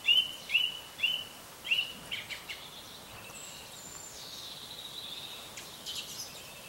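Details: Early-morning bird singing opens with four short, bright upslurred notes repeated about every half second, then fades into fainter scattered chirps and high thin notes.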